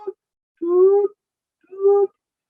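Siberian Crane giving clear, flute-like notes, each about half a second long and steady in pitch, spaced about a second apart. Nothing else is heard.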